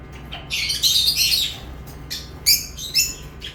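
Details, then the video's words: Lovebirds chirping: bursts of shrill, squeaky chirps with harmonic stacks, a dense chattering run early on, then scattered sharp single notes after a pause; steady low hum underneath. "Love birds chirping sounds"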